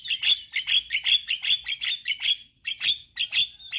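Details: A male Javan myna delivering a steady, high, scratchy chatter, about two to three notes a second with a short gap near the end, a song used to get other mynas learning sounds.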